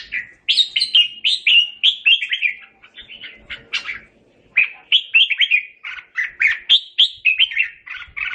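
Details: Red-whiskered bulbul (Pycnonotus jocosus), song: calling the flock.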